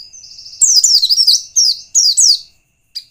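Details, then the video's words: A white-eye sings a lure song meant to provoke others. A thin high trill leads into loud, fast, descending chirped notes in three close bursts, then a brief final note. "Kurang dari 1 menit pleci lain pasti ngalas bila mendengar pancingan pleci satu ini|| burung pleci"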